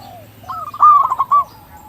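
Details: Lure song of a local zebra dove, meant to make other zebra doves start calling: soft low coos lead into one loud, quick, rolling phrase of pulsed notes, then fade.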